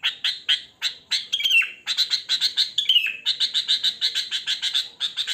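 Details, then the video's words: Natural song of a wild sooty-headed bulbul, used as a lure: a fast, steady series of sharp chirps, roughly two per second, interrupted by two drawn-out falling whistles. "Suara Kutilang Asli Alam Tanpa Isian Gacor"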